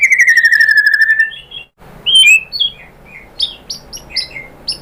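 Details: Provocation song of a white-rumped shama: a long clear whistle sliding gently downward, a pause, then bright upslurred whistles and a string of short sharp high notes.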